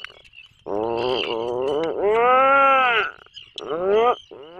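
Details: Atlantic puffin calling loudly in its breeding burrow off the coast of Maine: a series of strong harmonic groans, the longest arching up and down over a second, then a shorter rising moan, with a faint hiss.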